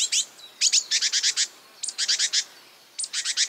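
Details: Marsh warbler song made of imitations of other birds: rapid clusters of harsh, buzzy high notes repeated in runs of four to six, separated by short pauses.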